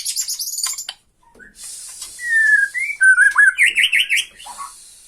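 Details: Bornean white-rumped shama taunting rival shamas with tretekan song: high rapid chattering, a pause, then long whistles over a hissing buzz, ending in fast zigzag whistled notes.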